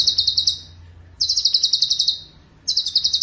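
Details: Cucak cungkok master song: three tight rolls of rapid, piercing high notes, each packed with about ten pulses, separated by short silences.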